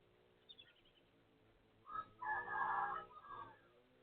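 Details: A neighbour's rooster crows at 12:12 midday on 23 January 2025: a short rising opening note, then a long, loud, hoarse drawn-out syllable that tails off in a lower fading end, over faint background hiss.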